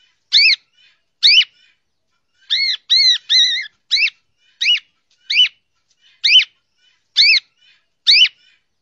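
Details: Cockatiel song: clear, arched whistled chirps with strong harmonics, repeated roughly once a second, with a brief run of three quick doubled notes in the middle. No other sounds.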